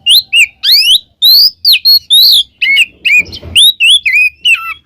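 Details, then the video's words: Free-flowing gacor ngeplong song from an oriental magpie-robin, loud throughout: strong upslurred and downslurred whistles in a regular series, shifting to shorter, lower twisting notes in the second half. "SUARA burung Kacer GACOR NGEPLONG"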